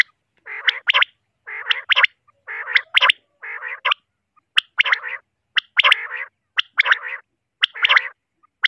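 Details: Three common quails (batair) calling steadily: throaty, burry growling notes, each followed by a sharp high clipped pair, in a rhythm of about one call per second across the whole stretch.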